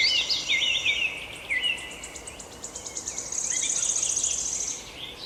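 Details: Chirping birds: bright slurred whistles open the passage, then a fast, even, high-pitched trill runs for several seconds before more warbling phrases return.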